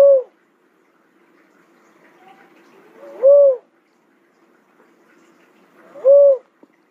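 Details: Cuckoo-dove giving a low, hollow, slightly arched coo, repeated about every three seconds with three notes heard, over a quiet background.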